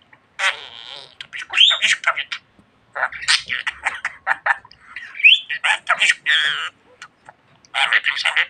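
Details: A pet budgerigar named Çimen, which talks a lot, chatters in quick, scratchy bursts of mimicked speech mixed with warbles and squeaky whistles, pausing briefly between phrases.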